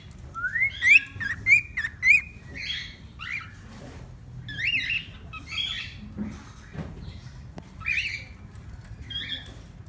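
A cockatiel whistles rising notes and short chirpy phrases, with a scratchy warble in between.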